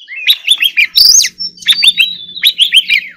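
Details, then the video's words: White-rumped shama in full song, rapid varied whistled phrases with chirps and slurred notes, a harsh buzzy burst near the middle, then more looping whistles. "choè than hót líu || Kacer Gacor"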